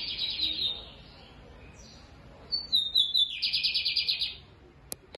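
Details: A lined seedeater sings loud, deep phrases. A high buzzy trill is followed by a pause, then a downward-sliding whistle that breaks into a rasping pulsed trill lasting about a second; a sharp click comes near the end.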